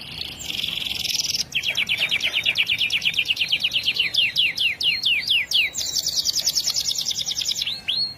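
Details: Canary song: a long rapid trill of repeated chirping notes that speeds up into a sweeping series, then a high buzzy rattle and a final upward slur.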